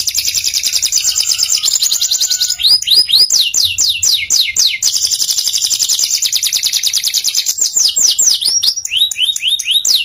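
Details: Canary in continuous song for masteran: dense high buzzy trills alternating with runs of quick downward-slurred whistles, steady and loud throughout.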